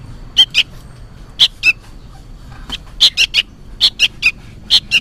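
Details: Young sooty-headed bulbul noisily calling its parent: rough chirps in pairs and triplets, a high note dropping to a lower one, bursts separated by short pauses.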